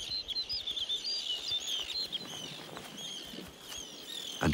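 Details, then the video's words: Snow bunting male singing on a lake shore where the species breeds in summer, with near 24-hour daylight; quick, bright, high twittering notes and short whistles, continuous over a soft hiss. His loud song proclaims ownership of his territory and mate. "The male's loud song proclaims ownership of his territory and his mate."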